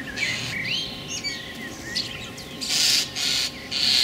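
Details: Common starling, one of a pair nesting in an apple tree beside a house, gives a jumble of thin whistles and sliding notes, then three harsh, rasping bursts about half a second apart.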